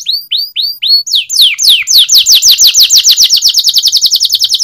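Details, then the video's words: Canary singing a training song: slow separate downslurred whistles speeding into a fast loud series of sweeping falling notes, repeated several times a second, bright and high-pitched throughout. "Singing of canary_Training song canary//kenari gacor_setingan kenari//تدريب الكناري"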